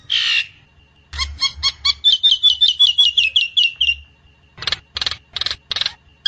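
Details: Nias hill myna lure song meant to make the bird sing: a harsh burst, then a fast run of clear slurred whistles, ending in several loud rasping notes with low thumps beneath.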